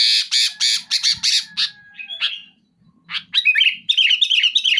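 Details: Sooty-headed bulbul singing hard and loud, with dense, sharp phrasing aimed at pressuring a rival: a fast series of raspy, buzzy bursts, a brief pause, then quick bright chirps repeated in a tight run.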